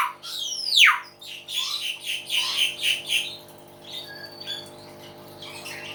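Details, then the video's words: Loud, chatty common hill myna: opens with a piercing whistle sweeping sharply downward, then a series of harsh, rasping squawks in quick succession, fading into softer scratchy notes. "BEO GACOR SUARA ALAM"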